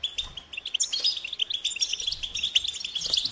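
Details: Goldfinch song: a quick run of bright, tinkling chirps and short buzzes, delivered almost without a break over a few seconds.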